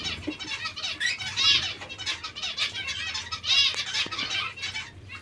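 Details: Hungry zebra finches calling: dense bursts of nasal, harmonic-rich chirps that overlap in quick, irregular clusters, loudest around the middle and near the end, with soft rustling and low background hum.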